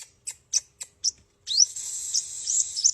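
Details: Sunbird delivering a few separate high chips, then breaking into a continuous, rapid, shrill twittering trill with sweeping high notes that carries on to the end.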